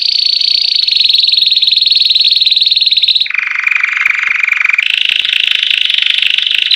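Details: Post-moult white Belgian canary in classic bell-style song: a continuous bright buzzy roll that drops abruptly to a lower, steadier roll midway, then jumps back up to a high, rapid trill.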